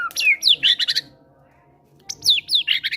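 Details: Caged fighter-type White-rumped shama in full lure song carrying gelatik batu material, meant to coax quiet birds into singing: two bursts of sharp, high, downslurred whistles and chattering notes, separated by about a second of near silence.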